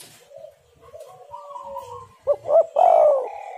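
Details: Tekukur (spotted dove) call used as a lure for birds: soft, faint drawn-out tones at first, then two short clipped notes and a loud, slurred, descending coo near the end.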